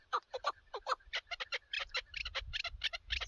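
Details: Chukar partridge from partridge hunting, delivering quick irregular chucking notes that grow brighter and harsher toward the end, with faint low rumble underneath.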